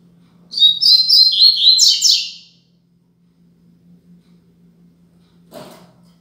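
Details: Double-collared seedeater singing the Braddock song style, used as a tutor song for young birds: a quick rich phrase of high twittering notes and sweeping whistles lasting about two seconds, then silence with a faint low hum.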